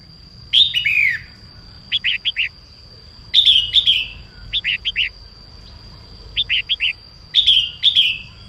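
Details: Female red-whiskered bulbul singing in the morning to stimulate males: bright phrases of slurred, descending whistles alternate with quick clusters of three or four chirpy notes, repeated every few seconds over a faint steady high electronic tone.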